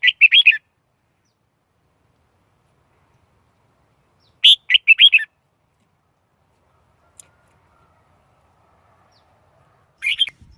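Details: Red-whiskered bulbul song, brisk phrases of quick warbled chirps delivered roughly every five seconds, clean quiet background with a single faint click.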